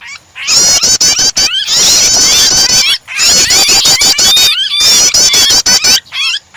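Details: Prinia starter sound mixed with a distressed bird, meant to spur other birds into singing: dense, high chattering and warbled notes in three loud bursts split by short gaps, with sharp clicks throughout.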